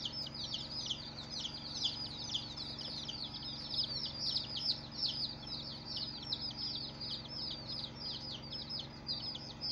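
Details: Many day-old chicks peep together nonstop, a thick carpet of high, quick falling notes with a constant low hum behind.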